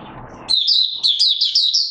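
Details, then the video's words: Brief Oriental white-eye song from 24 March 2022: after a soft low rumble, a high, bright chirping phrase of quickly repeated twittering notes begins and continues to the end. "Mata Puteh Raja Video 1 buka sing"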